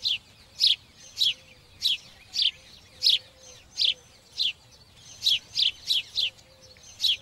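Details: Rapid, insistent sparrow chirping: a dozen or more short, piercing chips, mostly evenly spaced, bunching into quicker runs near the end, over a quiet backdrop.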